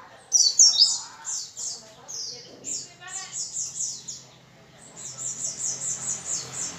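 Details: Lively white-eye song, the 'gacor' style used to get other white-eyes singing. A loud burst of high slurred whistles opens, followed by steady runs of short, even, high notes in quick series.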